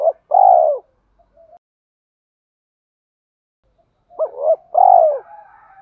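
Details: Calling coo of a decoy spotted dove, used in training fresh wild-caught doves: a drawn-out falling coo, a long silence, then a full phrase of two short notes and a longer sliding coo. A soft trailing murmur follows.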